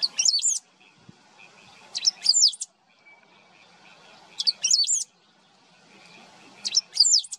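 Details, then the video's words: Great pampa-finch (Verdón, Embernagra platensis) singing short, high, tinkling phrases of bright warbled notes, each about half a second, repeated every two seconds or so; wetlands of the Maldonado river estuary, Maldonado, Uruguay, September 2022. "Verdón (Embernagra platensis) cantando"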